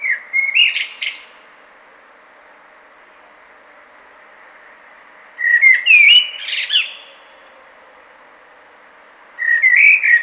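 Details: Common blackbird repeating song phrases about every four seconds, each a low, fluty warble that breaks into thin, high twittering notes, with quiet pauses between.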